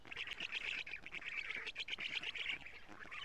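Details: Black storks at a nest in Estonia, June 14, 2017, morning feeding of lampreys by the female to her nestlings, live nest camera. Unbroken rasping, hissing chatter, steady and rough in tone.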